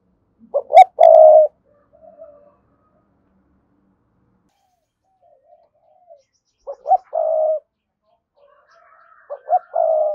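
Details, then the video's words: Spotted dove cooing to call a wild rival bird, in the Vietnamese thúc gù style: loud two-part coo phrases, a short stuttered note then a long steady croo, repeated about every six seconds with faint cooing between. "cu gáy thúc gù & gáy gọi bổi hay"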